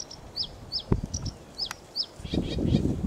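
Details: Sedge warbler singing: short downslurred whistled notes and clipped chips, spaced irregularly at high pitch, over heavy low rumbling wind-like noise.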